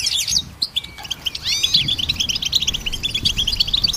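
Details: Goldfinch in full song, a dense run of sweet tinkling notes and brief trills after a few scattered opening chirps and a downslurred whistle, continuous and lively.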